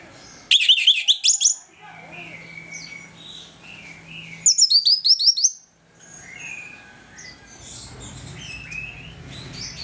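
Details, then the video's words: Morning song of an orange-headed thrush, used as a lure to stir aggression: two short bursts of rapid, high chattering trills, separated by quieter background chirps. "ANIS MERAH NGEPLONG PAGI, PANCINGAN ANIS MERAH AGAR CEPAT EMOSI"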